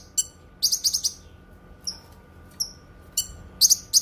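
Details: Cucak kinoi song, intended as a tutor recording and for therapy: short clusters of bright, piercing chirps alternate with single soft falling whistles and gaps of silence, a faint hum underneath.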